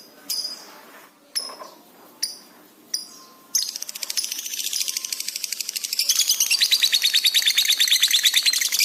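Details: Lovebird in a high-energy training recording for pet birds, said to respond fast with rising excitement: a few sharp separate shrieks, then a dense rapid high-pitched chattering trill that speeds up and runs to the end.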